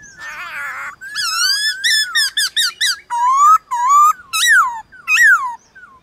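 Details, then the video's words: White-cheeked laughingthrush, morning singing contest with wild birds: a buzzy opening burst, then varied harmonic whistled phrases, some rising, some sharply falling, in an irregular sequence. "Khướu bạc má HÓT ĐẤU với Khướu ngoài thiên nhiên buổi sáng cực hay"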